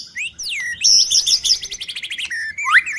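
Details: Male white-rumped shama singing a fast, varied phrase: swooping whistles lead into a quick, loud, evenly pulsed trill, then end in rising slurred notes.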